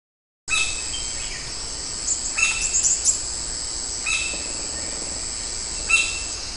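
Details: White-bellied Woodpecker puncturing an arecanut tree at Magadha Vana near Karkala: sharp wooden knocks in small clusters about every two seconds under a steady high insect drone.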